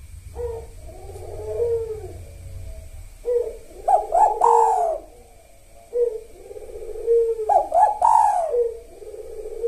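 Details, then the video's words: A spotted dove of the single-"kuk" type sings actively in two soft, hollow cooing phrases, each ending in a louder rolling note, about every four seconds, over faint hiss and clicks; such doves often call before dawn. "Tekukur Kuk Satu Gacor"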